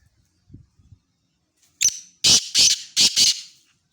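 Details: Black francolin calling: after faint low thumps, a harsh, grating series of about five loud broadband bursts arrives in quick succession over under two seconds, each rasping and noisy rather than whistled.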